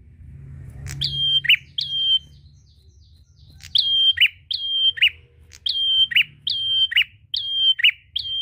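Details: Prinia calling a rival in energetic song, meant to stimulate prinia singing. After a pause, rapid strings of high, steady whistles follow, each closed by a buzzy note, roughly twice per second. A low hum sits underneath.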